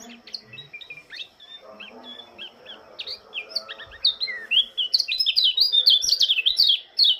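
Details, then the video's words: Oriental white-eye (pleci Lombok), a morning singer greeting the dawn dew: quiet, scattered high chirps, then a rapid, dense stream of bright, slurred twittering notes from about four seconds on, with a faint low hum beneath. "Kicauan burung pleci lombok sang penyambut embun pagi"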